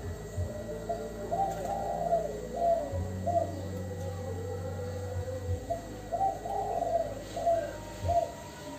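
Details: Spotted dove call of the 'kuk 2' type, played as a lure to draw answers from other doves: soft, low rounded coos in short repeated phrases, over a steady low hum and faint background noise.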